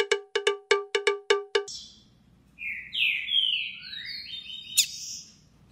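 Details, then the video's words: Green-winged saltator singing the 'três notas boi' style, a tutor song for teaching young birds; seven evenly spaced, ringing metallic pulses come first, then loud whistled slurs in descending and rising strokes, ending with a sharp high note. "TRINCA FERRO 3 NOTAS BOI PROFESSOR"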